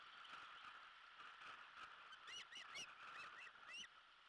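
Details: Two osprey chicks, 49 and 46 days post-hatch, at the Savannah nest on the afternoon of June 1, 2021, sharing a fish the male delivered as they learn to self-feed: a few sharp, high whistled chirps late on, over a faint hiss.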